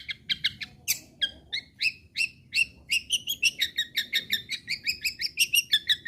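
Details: Long-tailed shrike singing as a lure for other shrikes to keep singing: two-toned chirping notes repeated about three times a second, quickening and becoming denser toward the end.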